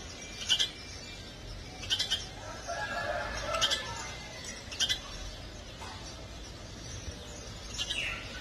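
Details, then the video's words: House sparrow chick piping: bright, clipped chirps, sometimes in quick pairs, spaced irregularly over a low, noisy background with a faint murmur in the middle. "Filhote de pardal piando"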